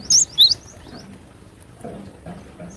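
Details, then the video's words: Wild cinereous tit in active sharp besetan singing: two quick, high, piercing whistled notes close together, followed by faint fainter notes and quiet low background murmur. "GELATIK BATU GACOR BESETAN TAJAM SUARA ASLI ALAM LIAR"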